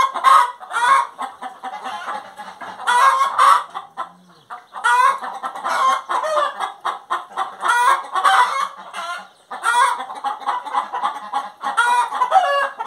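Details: Long bout of hen song: repeated loud harmonic cackles mixed with dense rapid clucking, almost without pause, with one brief break near the middle.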